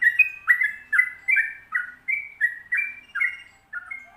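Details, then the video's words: Sooty-headed bulbul in full 'ropel panjang' rolling song. Mellow whistled notes slide down or rise in a fast chattering sequence of about ten phrases, with a faint low whistle at the close. "Trucukan Ropel Panjang Gacor"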